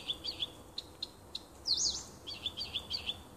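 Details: Nightingale singing in June 2015 in woodland by a home: a string of quick pulsed notes, one loud buzzy sweep, then fast warbled chatter.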